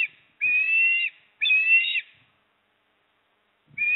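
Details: Osprey at a nest at Port Lincoln, recorded 26 September 2024 from a nest livestream as the father brings a fish and the mother eats. Two long, level whistled notes with a harmonic above, each over half a second, then a third begins after a pause.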